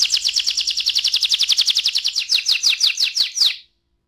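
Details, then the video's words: An AF canary sings a long roll: a fast, regular high-pitched trill of clipped repeated notes, slowing slightly and becoming more spaced before stopping abruptly, followed by silence. "KENARI AF ngerol panjang"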